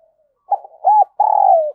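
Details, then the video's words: Spotted dove kept as a decoy to lure wild doves, heard in close-up: a rough stammering opening, one arched coo, then a long vibrating croo that slides gently downward. The phrase is cut before its final note. "Chim Cu Gáy Mồi Cây Đẹp Mã Hót Hay"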